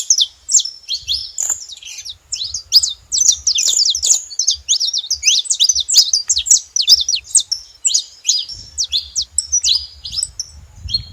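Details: Saffron finch giving a dense run of sharp, high chirps and short downslurred notes, rapid and irregular, about 158 per minute, with soft low rumbling below.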